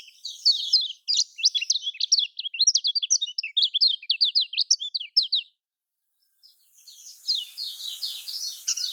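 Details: Lemon-bellied white-eye (kecial kuning), Lombok style, played to prompt lazy caged birds to sing: a rapid run of high, sharp chirps and slurred whistles for five seconds, a short pause, then the twittering resumes more faintly.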